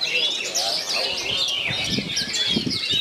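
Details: Oriental magpie-robin with three others around it, singing bagong and kerayu style: busy high chirps and whistles, including a long descending slur, with low thumping knocks near the end.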